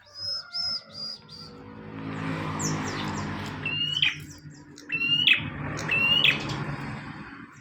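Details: Bar-winged prinia singing actively, recorded as tutor material for training caged birds: several short phrases, each a level whistle ending in a sharp buzzy downward flick, following faint high chirps, over a steady low rumble of background noise.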